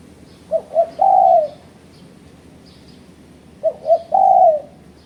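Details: Used as a rival-challenging lure, a spotted dove gives two identical phrases roughly three seconds apart: two brief hoots and a long mellow coo, with scattered faint bird chirps behind.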